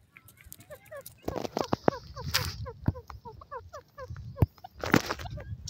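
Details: Grey francolin pair calling: rapid series of short, slurred, chirping notes, some rising and some falling, overlapping in a busy chorus across about four seconds, broken by several sharp cracking knocks and a low background rumble.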